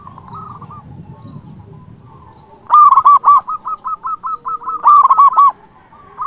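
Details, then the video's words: Local Zebra dove in full song with a big voice, used to call and provoke rivals: a low murmur, then a run of rapid soft coos around a steady pitch, broken by two loud, ringing bursts of bubbling notes. "Perkutut lokal gacor Suara BESAR ampuh memanggil lawan BUNYI EMOSI manggung"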